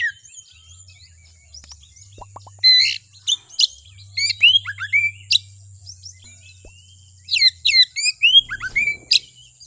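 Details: Kacer, the Oriental magpie-robin, in a bait recording meant to make a rival bird emotional and sing: clusters of rapid, piercing downslurred whistles and clipped chips in two main bouts, with a low steady hum and thin high tone beneath.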